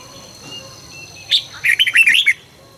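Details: Morning song of a red-whiskered bulbul in training, fast and intense. A sharp opening note leads into a rapid cascade of six or seven rolling whistled notes. Quiet chirps sound in the background.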